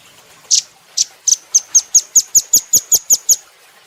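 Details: Velvet-fronted nuthatch on a cage-bird training recording: a few loose sharp chips, then a fast, even run of about a dozen very high, thin ticking notes, roughly five per second, ending abruptly.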